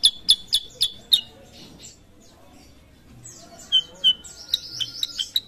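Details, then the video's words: A Sooty-headed bulbul (kutilang) in full song gives five quick, sharp, high chirps, then after a short pause a lively run of whistled notes and upward sweeps over a quiet background. "KUTILANG SUTRA GACOR"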